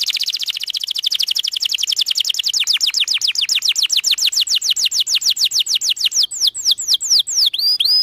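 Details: Canary delivering a long rapid trill of sweeping notes that slowly lengthen and slow, ending in louder looping whistled phrases.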